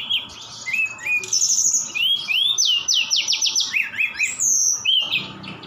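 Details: Lively Javan bush lark song from Sukabumi, full of mimicked notes of cililin and sikatan Londo. Bright upslurred whistles, then a quick run of repeated sharp notes and a high falling whistle near the end.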